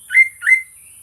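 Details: Greater green leafbird singing, recorded on a Sony A6400 camera as a prompt for other birds: two quick slurred whistles, each rising then falling, with faint noise in the background.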